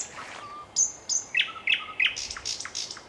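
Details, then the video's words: A nightingale sings a rich, varied phrase: a low pure whistle, high thin notes, quick rising chirps, then fast buzzy trills. "Незабываемое Пение соловья / Chill out Nightingale Singing"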